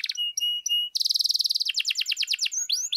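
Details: Singing canary, lure song played to excite other canaries to sing: short steady whistled notes, then a rapid rattling trill and a run of quick downslurred notes ending in rising sweeps.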